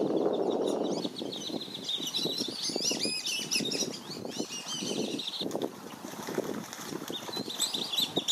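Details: Protective Black-bellied whistling duck parents nip at intruding ducks near their juveniles at Circle B Bar Reserve, Florida; rapid squeaky whistled notes overlap from many birds, accompanied by wingbeat-like flutters and low splashes.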